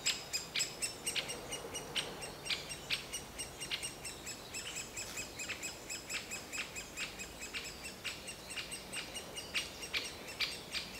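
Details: Young great spotted woodpecker in a nest hole begging throughout as the adults bring food, heard from 10–15 m by a busy path: rapid, slightly irregular high squeaky chirps several per second, with background noise.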